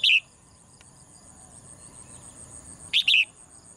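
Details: Caged female bird that sings every morning: two short, high chirp bursts, one right at the start and a double burst about three seconds later, with a thin steady electrical whine and quiet room noise between them.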